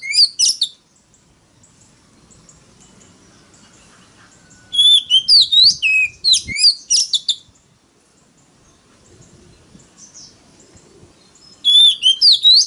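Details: Oriental magpie-robin singing a loud competitive song used to lure rivals: bursts of sharp high whistles, slurred rising and falling notes and trills, in three phrases separated by quiet pauses.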